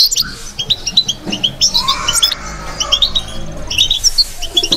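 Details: European goldfinch in batbata song, clusters of sharp high chirps and twitters with short pauses, plus a brief lower sliding sound in the middle.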